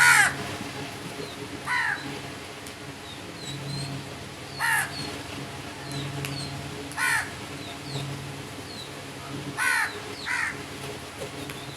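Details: Crows giving a run of hoarse, slightly downslurred caws, five spaced a couple of seconds apart across the stretch, with small birds chirping faintly and a low droning hum underneath.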